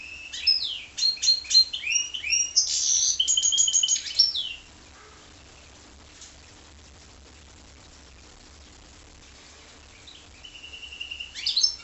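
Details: Goldfinch × canary hybrid singing a fast run of twittering notes, buzzy trills and high whistles for about four seconds, then quiet, with a short whistled phrase returning near the end.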